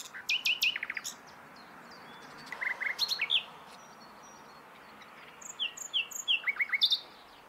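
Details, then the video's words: A common nightingale sings three varied phrases of crisp repeated notes, some dropping in pitch and some rising whistles, separated by short pauses. "Gesang der Nachtigall"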